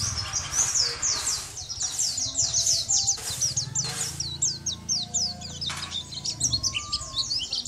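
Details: Lively, nonstop twittering from a champion Sunda white-eye, sung as training material for other songbirds, with quick high down-slurred notes and recurring broad bursts of noise plus a low hum beneath.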